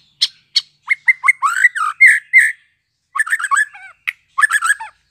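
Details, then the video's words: Fledgling white-rumped shama, newly out of its speckled juvenile plumage, practising song: sharp clicks, then a quick string of harsh, squawky chirps and short warbled phrases in two bursts separated by a brief silence. "BARU LEPAS TROTOL cocok buat merangsang MURAI BATU Trotolan belajar Bunyi"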